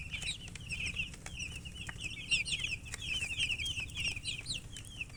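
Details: Chicks chirping in a lively group, quick high peeps rising and falling back to back, some louder trilled notes standing out, with clicks and a low hum beneath.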